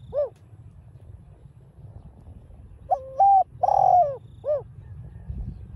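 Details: Spotted dove 'đồng pha' coo used to stir up caged birds: a lone short hoot, a pause with low background hum, then one phrase of stepped coo, long slurred note and brief rounded ending.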